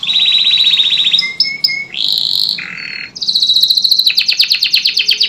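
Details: Singing canary meant to coax stalled canaries back into song: high rolling trill, a harsh buzzy burst, a lower rattling section, then rapid repeated sweeping notes.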